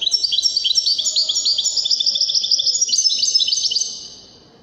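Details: Moroccan Wedani goldfinch giving a continuous fast stream of bright, liquid chirps and twittered notes, repeated rapidly for about four seconds before fading away.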